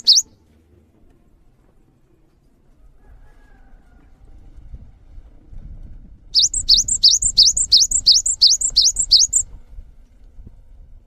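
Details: A cinereous tit (gelatik batu) gives a clipped opening note, then, over a swelling low rumble, a three-second burst of about eight rising, piercing two-note whistles.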